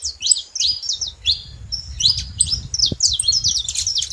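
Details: Saffron finch giving rapid high chirps, short downward-sweeping and zigzag notes in quick bursts, with a soft low rumble of background noise.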